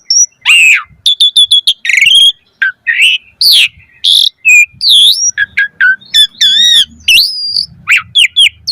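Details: Asian pied starling pouring out a dense, varied song for training kept birds: loud sweeping whistles, chattering bursts and warbled notes with almost no pauses.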